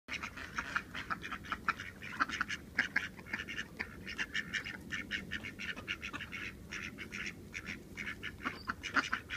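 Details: Two male mallards (or hybrid ducks) squabbling: a rapid, continuous run of harsh, raspy bursts, several per second, with busy rustling and splashing underneath.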